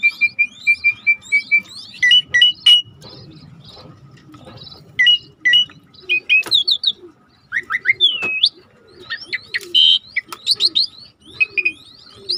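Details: Energetic starling song for songbird training: a quick series of short high whistles opening into varied chatter, upward-sweeping whistles and scratchy bursts, separated by brief pauses over a soft low hum.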